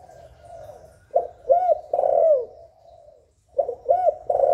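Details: Spotted dove (cu gáy) calling in the hạp bổi style to prompt doves to call: soft low coos build into a double coo and a long descending note, then a new phrase begins.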